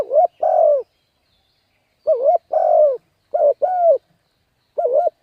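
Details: Spotted dove giving a coaxing coo to rouse birds for luring. Repeated two-part phrases: a short wavering note, then a longer throaty coo that sags at the end. Four phrases come in close succession.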